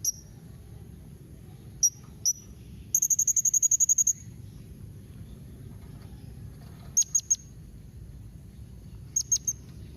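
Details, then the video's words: Blue-crowned hanging parrot calls meant to make other parrots answer: thin, very high squeaky notes, singly and in pairs, plus a fast burst of about ten rapid clicks, over a steady low hum. "Kombinasi Suara SERINDIT MEMANGGIL NEMBAK Mbeset Seperti ni Jadikan Srindit Anda Nyaut Tambah GACOR"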